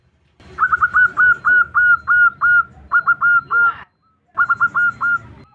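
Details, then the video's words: [3, 'A female zebra dove calls for a male with loud, fast strings of hooked, slightly rising coos in quick groups, a brief silence, then another rapid burst.'] "Perkutut Betina memanggil jantan"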